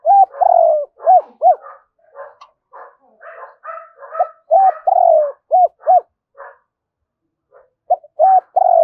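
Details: Captive decoy spotted dove calling in the morning to draw in wild doves. Loud, clear arched coo notes come in quick bursts, mixed with softer, rougher cooing phrases and a short pause near the end.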